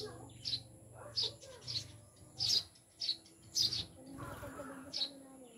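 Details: Eurasian tree sparrows (maya), newly kept as caged pets, described as mountain birds; bright high chirps repeated about every half second to a second, around nine in a row, over a low murmur of background voices.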